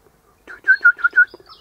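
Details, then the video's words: Eastern rosella perched high in a hedge one morning, its mate in a nearby pecan tree, gives four loud, clear whistled notes in quick succession, each level in pitch, preceded by a soft rustle. "Eastern Rosella Parrot Chatting"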